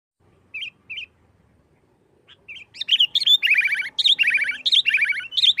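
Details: Sooty-headed bulbul singing in the energetic 'nggaruda tarung' style, used as a lure to provoke other bulbuls into song; two soft chirps open, then a dense run of loud, rapid, bubbly descending phrases in quick succession.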